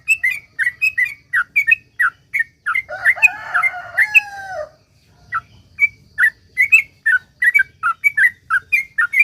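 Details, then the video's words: Sooty-headed bulbul in long 'ropel' song used to prompt others to sing: quick whistled paired notes, briefly overlapped midway by a louder, lower, harsh, drawn-out call, then the whistling continues. "suara trucuk gacor ROPEL PANJANG ampuh buat pancingan trucuk agar bunyi"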